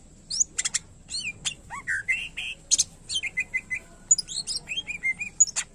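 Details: Greater green leafbird in vigorous fill-in song: high sharp ticks, curving whistles, then a string of short repeated descending notes, with bursts of chattering near the end.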